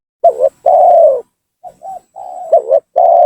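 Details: Spotted dove lure call meant to bring down and agitate rivals: mellow coos in phrases, a short doubled note then a long sustained coo, repeated with brief pauses.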